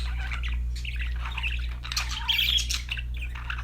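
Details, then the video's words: Happy parakeet chatter: a short, busy run of scratchy warbled notes and squeaks set against a strong low hum. "budgies chirping sound"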